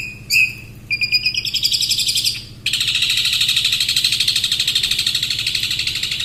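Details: Long-tailed shrike, a competition-style songbird, opens with a few sharp whistled notes and chattering phrases, then breaks into a long continuous fast buzzy trill, with a low background hum.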